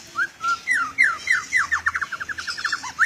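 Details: Oriental magpie-robin (kacer), an international champion bird, in full isian song: sweet down-slurred whistles that speed up into a fast, rattling series of short repeated notes, with a faint background hiss.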